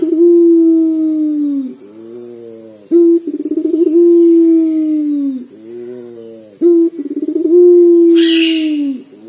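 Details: Puter dove of a local strain, calling often with a weeping-like voice: two long, wavering, falling coos, each introduced by a sharp note and fast pulsing roll. A short scratchy noise sounds near the end over a faint high hum.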